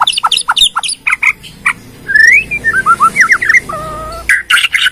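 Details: Lure song from a Bornean white-rumped shama, used to prompt other shamas to sing: quick chips give way to a series of falling whistled slurs, then a steady two-tone whistle and a burst of sharp notes.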